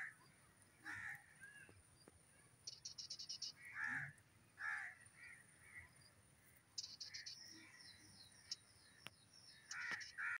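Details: Grey francolin in forest giving repeated harsh, grating call notes in irregular bursts, mixed with rapid high trilling and twittering from other birds in the background.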